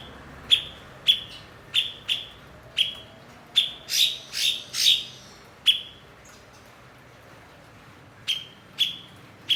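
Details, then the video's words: Kept blue-winged leafbird (cucak cungkok), an adept mimic used to train other songbirds: steady sharp piercing chips roughly every half second, a middle stretch of harsher, noisier swept notes, then a pause and more chips. "MASTERAN BURUNG BERKICAU "CUKOK""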